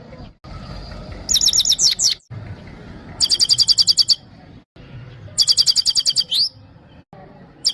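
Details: A European goldfinch, called Himalayan goldfinch, from Parachinar sings for a female in three bright, high, tinkling bursts, each a fast run of about ten liquid twittering notes, spaced roughly two seconds apart, over quiet background.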